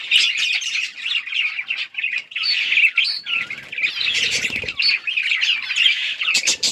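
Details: Several budgies chirping while playing with each other, a dense nonstop warble of high chirps, squeaks and scratchy chatter with brief rustles; recorded October 30, 2023.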